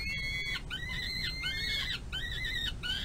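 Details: Peregrine falcon eyass on a nest-box runway, May 25 2022, calling while an adult female feeds it large prey at dinner. The calls are harsh, rising-then-falling wails repeated about once per second, with stacked overtones.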